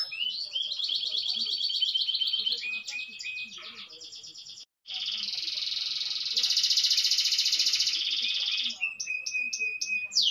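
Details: Canary singing a long rolling song indoors: extended buzzy trills and rapid repeated notes, a brief break, then a long dense rattling roll followed by sharp clipped notes.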